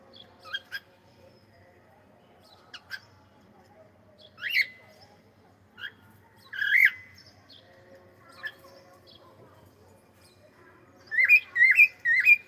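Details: Pet cockatiel saying hello: scattered sharp chirps and squawky calls with rising-falling sweeps, in short bursts separated by pauses, ending in a rapid cluster of loud chirps; faint low hum behind.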